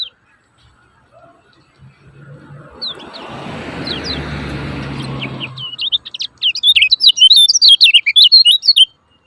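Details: Lemon-bellied white-eye 'ciak ciak' lure call for stalled birds: a few thin chirps over a passing rushing noise, followed by a rapid, energetic burst of high twittering notes sweeping up and down.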